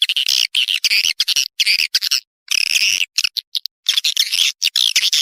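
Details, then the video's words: Swiftlet call lure for a nesting building, tested to make the birds stay: continuous buzzy, raspy chattering bursts with rapid clicks and a few short silent gaps. "Suara Panggil Walet"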